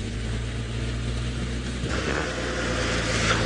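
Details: Continuous low engine rumble and broadband vehicle noise are heard throughout, with no clear animal voice.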